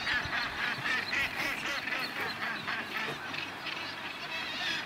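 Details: Northern gannets with chicks at the crowded Bempton Cliffs colony, East Yorkshire, on 28 July 2012: a dense, continuous chorus of harsh, grating calls, many birds overlapping several times a second with no pause.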